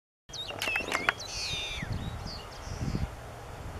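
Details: Long-tailed meadowlark at the outer edge of Laguna Nimez reserve, El Calafate, Santa Cruz, in April, with males, females, adults and immatures present: a few short sharp notes, then a buzzy wheezy phrase sliding downward, over wind and low rumble.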